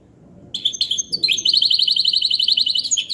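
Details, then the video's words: ['A goldfinch hybrid opens with a few sharp chirps, then launches into a loud, rapid, buzzy trill of evenly repeated, bright notes.'] "تغريد الحسون بصوت الهجين"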